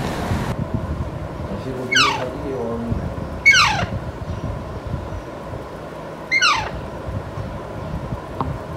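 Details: Five-month-old pet Alexandrine parakeet, caged, not yet talking but trying to 'talk' with a man: three harsh, descending screeches spaced about 1.5 and 3 seconds apart over steady room noise and soft background music.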